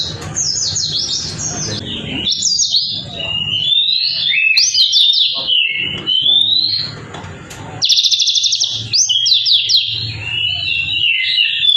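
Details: White-eye singing energetically: long, continuous, high warbling phrases of rapid sliding whistles and trills, rising and falling, with a brief quieter dip midway.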